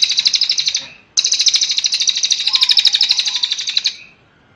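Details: Cililin master song meant for training kept songbirds: two long, dense, fast buzzy trills, the first under a second, the second almost three seconds, separated by a brief break and fading at the end.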